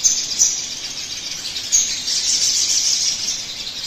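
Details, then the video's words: Sogon song, a lure recording meant to prompt other birds to sing fast: a dense, continuous high-pitched trill with a couple of brief sharper accents, steady in loudness throughout. "pancingan suara burung sogon agar cepat bunyi"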